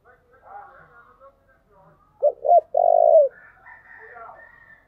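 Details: Spotted dove lure song to draw in wild doves: a single phrase of two brief coos and a longer rolling, slightly falling coo. Faint background murmur and higher twittering come before and after it.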